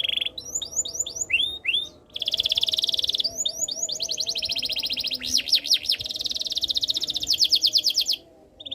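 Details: Canary in continuous song, opening with a quick series of curved whistled notes, then dense rolling trills, a burst of steep sweeping notes and a long fast pulsed trill before falling silent.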